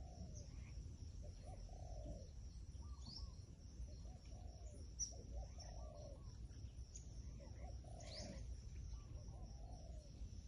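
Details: Wild pigeon calling, a series of soft, low, rounded coos, each slightly arched and drawn out, spaced about a second apart, over a steady high insect drone and low rumbling background noise.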